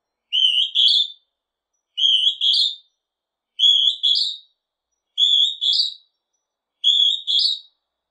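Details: Northern hawk-cuckoo calling steadily: five shrill, whistled two-note phrases, each second note higher and rising, repeated regularly about every one and a half seconds with clean silence between.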